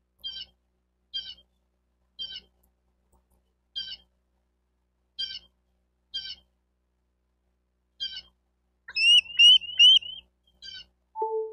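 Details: Bald eagle at a nest in Miami-Dade County, Florida, on 28 May 2023 at 11:34; short high chittering notes repeat about once a second, then a louder rising piping series and a brief lower whistle to close.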